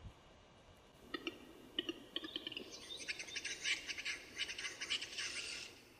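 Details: Eurasian capercaillie displaying at a lek, filmed in the early 2000s on film: a few dry clicks spaced about half a second apart, quickening into a dense, scraping, high-pitched grinding phrase lasting about two seconds.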